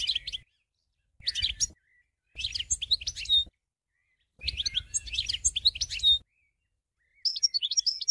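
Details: European goldfinch twittering in short bursts of jumbled high notes with a faint buzzy edge. The phrases are separated by brief pauses and end in a quick tinkling trill.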